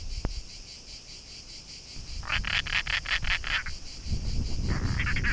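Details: European roller, one of a pair nesting in an artificial nest box near the office of Shirvan National Park, Azerbaijan, May–June 2013; a harsh, rasping series of about eight rapid notes, then a shorter burst, over low rumbling noise and steady insect buzz.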